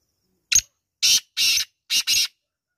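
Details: Black francolin (kala teetar) calling: a short harsh rasping note, then two longer grating notes, then a quick close pair, all loud, buzzy and harsh against a silent background.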